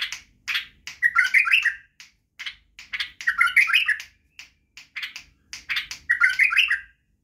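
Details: Tutor song from a Badrawi white-eared bulbul for training young bulbuls to sing: the same motif repeated three times, sharp staccato notes leading into a fluty, slurred warble, at a brisk pace.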